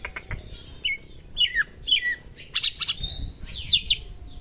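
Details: Oriental magpie-robin giving sharp mimicked small-bird material meant to stir a rival: crisp chips and short falling whistles, a few harsh bursts, and a buzzy slurred phrase near the end, low noise underneath.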